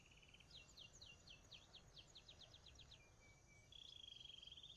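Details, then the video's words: Belgian canary song: a quick run of bright, descending chirps, a short level whistle, then a fast buzzy trill, over a steady low hum. "FILHOTES DE CANÁRIO BELGA COMEÇAM A CANTAR QUANDO?"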